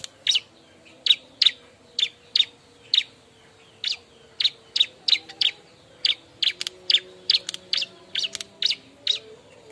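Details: Bar-winged prinia, restless and calling to find a mate, gives a long series of harsh, clipped chirps, singly and in close pairs, roughly two or three per second, with a faint low tonal hum beneath.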